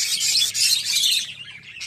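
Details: Budgerigar chicks in the nest of a captive breeding setup in Indonesia, described as very noisy; dense, raspy high chattering and chirping runs continuously through the first second and a quarter, then fades with a few softer chirps and faint talking.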